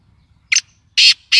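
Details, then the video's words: Black francolin, locally called kala tetar, calling: three loud, harsh, rasping bursts, the first short and doubled, the next two longer and grating, spaced about a third of a second apart, over a quiet background. "Sindhi mast Kala Tetar Awaz"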